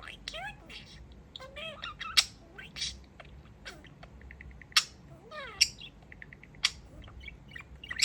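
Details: Pet budgerigar, a male talking parakeet, dancing while he beeps: bright, sweeping chatter notes, then runs of short, evenly spaced high pips repeated in quick bursts, with sharp clicks between phrases.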